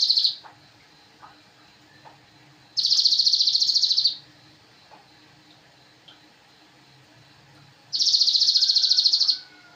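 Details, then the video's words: Songbird-training master recording of a Javan cochoa: sharp high trills of quick regular pulses, each lasting about a second and a half, returning roughly every five seconds, with faint ticks between them. "masteran sogon"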